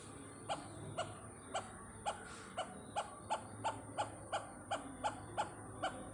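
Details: Great hornbill, a visitor at Pathanamthitta, gives a steady series of short hoarse barks, roughly three each second, over a faint hiss of background noise.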